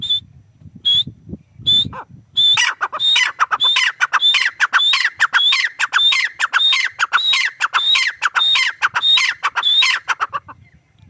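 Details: A grey francolin, or teetar, starts with a few separate high whistled notes, then launches into a long, fast series of ringing phrases. Each phrase is a whistle dropping into raspy lower notes, repeating almost twice a second.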